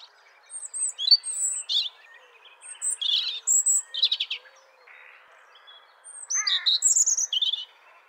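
European robin singing a varied, high, sparkling warble of short trilled and whistled phrases separated by brief pauses.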